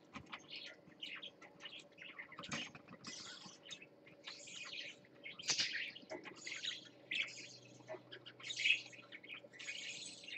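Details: Continuous high warbling chatter from a parakeet on swings, live-streamed 20 December 2014: rapid scratchy chirps and buzzy notes running without pause, growing louder toward the end.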